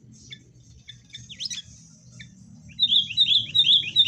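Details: Sooty-headed bulbul lure song to get caged birds singing, fighting tone: faint scattered chips and a sharp slur over steady low rumbling noise, then a clear rapid series of bubbly whistled notes.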